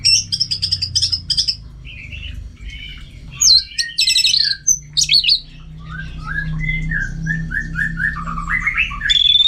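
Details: Caged Orange-headed thrush from Singaraja, North Bali, trained at home for bird contests, delivers a varied, energetic song. Rapid buzzy trills lead into sharp chips and clusters of whistled phrases, and the song ends in descending warbled slurs.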